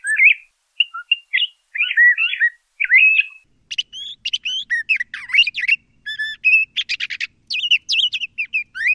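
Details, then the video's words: LeConte's thrasher song: varied whistled phrases rising and falling, slurred notes in short bursts at first, then a denser run of buzzy, chattering and sharply modulated syllables, clean and quiet between phrases. "LeConte's Thrasher Bird Song, Call, Chirp, Voice - Cuitlacoche Pálido Canto"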